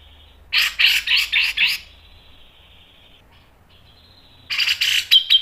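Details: Grey-cheeked bulbul song used as a lure for training: a row of five harsh, scratchy bursts, a thin sustained tone, then renewed harsh notes.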